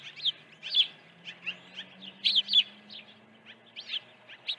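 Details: Osprey at its nest, early morning feeding, 1 June 2019; rapid high whistled chirps, some doubled, loudest around the middle, with a faint low drone rising underneath.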